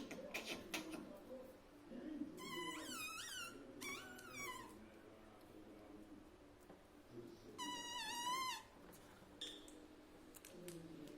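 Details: Talking pet parrot, said to say "mummy" and "papa", produces a few groups of wavering, harmonic syllables that stand out against a fairly noisy, murmuring room background.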